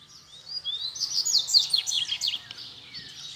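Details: Free Double-collared seedeater staying beside a cage during a challenge to fight: a rushed, dense run of high chirping and buzzy slurred notes, rising then fading, over low hum.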